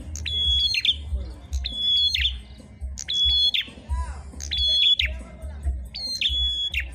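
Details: Two prenjak merah prinias in a song contest: a steady string of piercing whistled phrases, each a flat high note snapping into quick downward chips, about five phrases in seven seconds, with a faint voice and low rumble.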